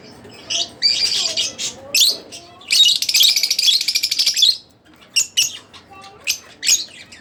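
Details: Harsh, grating chatter from a split blue Fischer's lovebird: scratchy notes build into a long, continuous buzzy trill, then break into scattered thin squeaks.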